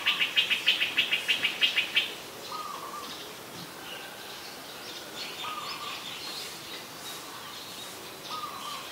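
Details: Streak-eared Bulbul in Ubon Ratchathani, Thailand, on 2 January 2021, gives a fast run of about a dozen scratchy, chattering notes over two seconds, followed by quieter, spaced short notes against soft outdoor background.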